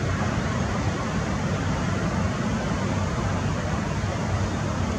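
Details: Steady, dense broadband rumble like passing traffic or machinery fills all five seconds at an even loudness, strongest in the low range, with no calls or other distinct sounds.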